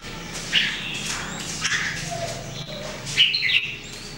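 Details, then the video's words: Red-whiskered bulbul, one of three birds singing daily during 2018 voice training, gives short bright whistled phrases around the high-middle range, two loud bursts near the start and end, over a steady low background hum. "Training Jambul birds singing everyday 2018"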